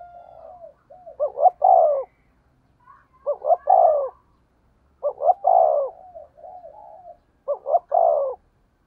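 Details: Spotted dove decoy bird cooing in the low 'giọng thổ' voice with driving 'thúc gù' coos: four phrases, each a soft lead-in then two short notes and a long, loud, falling coo, roughly every two seconds, in a quiet setting.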